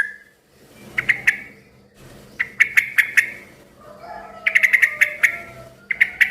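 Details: Yellow-vented bulbul chattering loudly, a song said to make other bulbuls join in. Short clusters of crisp chirps alternate with brief gaps, the last burst a rapid string of six ticking notes, over low background hum.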